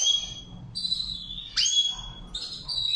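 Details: Goldfinch training session, Saira song: drawn-out thin whistled tones broken by one sharp sweeping note in the middle, then softer twittering; low background hum throughout.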